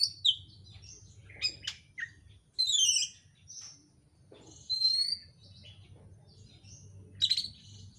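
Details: Oriental magpie-robin lure song meant to prompt a bird to sing, a dense, varied run of high chirps, quick slurred notes and downslurred whistles in irregular bursts over a faint low hum.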